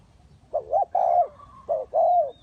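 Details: Close spotted dove decoy in a trap setup, calling two paired phrases. Each phrase is a quavering coo followed by a longer, smooth, rounded coo. The sound is low, clean and loud against a quiet background.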